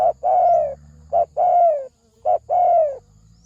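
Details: Spotted dove cooing in the thổ sấm đồng style, used as a lure to stir males, females and wild birds; three phrases, each a short low note then a long, mellow, slightly falling coo, evenly spaced over a quiet background.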